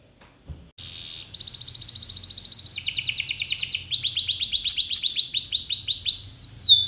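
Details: Kept canary of the pocong variety, singing eagerly: a short buzzy note, then trills that grow steadily louder and coarser, each passage faster and stronger, ending in high sweeping notes.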